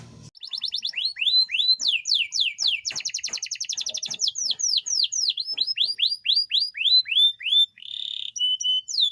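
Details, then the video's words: Yorkshire canary in a cage singing, a master recording for lazy canaries and breeding: quick repeated sweeping whistles, a dense pulsing buzzy roll, more falling whistles, then a brief flat tone. "SUARA KENARI YORKSHIRE GACOR..masteran ampuh buat kenari yg males bunyi."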